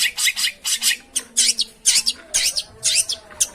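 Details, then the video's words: Long-tailed shrike calls played to prompt a silent or reluctant bird into singing: harsh, raspy chattering notes in quick bursts, roughly two each second, with short gaps between groups. "suara pancingan burung pentet macet/malas bunyi"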